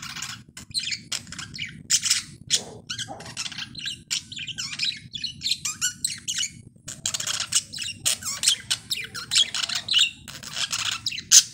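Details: Tame young male budgerigar, about three and a half months old, singing happily while perched on its owner's finger at home: rapid chattering warble of scratchy chirps and squeaks in quick bursts, with brief pauses between phrases.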